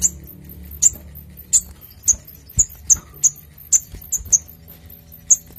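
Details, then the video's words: Crimson Sunbird, used as a lure to make birds sing and as a tutor song: sharp, very high chips repeated irregularly about every half second, with faint low hum behind. "Sogok ontong Gacor Dor N3mbak Suara Jernih Untuk Pancing Bunyi & Masteran"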